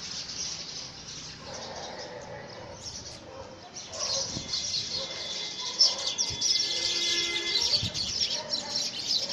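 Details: Several house sparrows quarrel over possession of a nest box in early February 2017. Quiet at first, then a burst of busy, overlapping high chirps and tweets grows louder after a few seconds.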